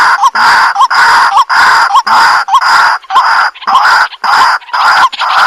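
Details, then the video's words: White-breasted waterhen played through a Bluetooth speaker: loud rasping croaks, each ending in a short upward hook, repeated roughly twice a second in a steady chant. "Kuro-Wakwak White Breasted Waterhen 100% Effective Sounds"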